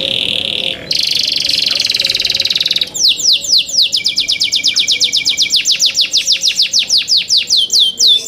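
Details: Singing young canaries: two buzzy rolls, then descending swept notes accelerating into a fast, repetitive high trill lasting several seconds.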